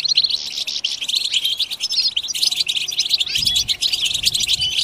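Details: Several European goldfinches twittering together in a dense, continuous chorus of rapid high chirps, trills and buzzy notes that overlap without pause, with a few soft low thumps near the end.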